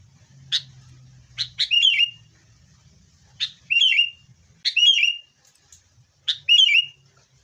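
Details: Sooty-headed bulbul recording used as a lure to prompt caged birds to sing; short sharp chips followed by a bubbling, slurred whistled phrase, repeated four times at intervals of over a second, with faint low hum beneath.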